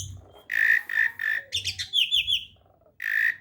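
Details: Beginner starling giving three harsh, buzzy notes, then a quick string of high, rising warbled notes, then a final rasping buzz after a short gap; low background rumble.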